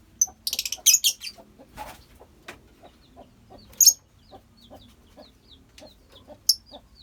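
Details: Lovebirds in a colony with a rapid burst of shrill chatter at the start, then steady soft clicking and occasional sharp high squeaks.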